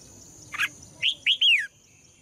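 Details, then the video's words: A female red-whiskered bulbul sings to rouse males: a short burst of noise, then two quick upswept whistles and a longer note gliding down, all over a continuous high whine. "นกหัวจุก birds - เพลงนกตัวเมียเพราะดี ชวนให้นกตัวผู้ร้องอย่างแรง"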